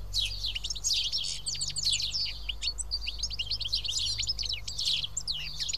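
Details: Feeding house sparrows at Karyotissa in Greece, some seven birds together, keep up continuous lively chirping, many short notes overlapping with hardly a pause.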